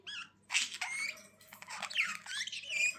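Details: Budgerigar chatter: a brief wavering whistle, then dense scratchy warbling with squeaky rising notes for the rest of the clip.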